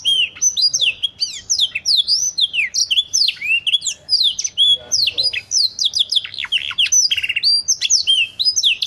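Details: Canary singing a long, dense 'cengkok' song meant to train other birds. It pours out quick rising and falling whistles, chips and brief buzzy rattles without pause for about nine seconds.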